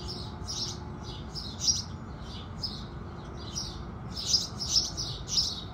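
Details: House sparrows at sunrise: softer distant chirps at first, then louder, closer high chirps in quick succession near the end, over a low background hum.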